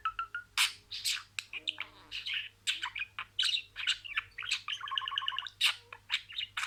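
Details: Pet budgerigar talking, saying a run of words: fast, dense chatter of short scratchy bursts and clicks, with a clear stretch of buzzy, evenly pulsed notes near the end and brief whistled tones at the start.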